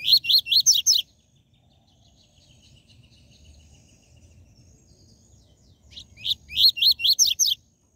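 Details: TUI TUI ZEL ZEL song of the coleiro, played to fire up caged seedeaters. Two bursts of about six sharp, high, slurred chirps, one at the start and one near the end, separated by several seconds of faint high twittering.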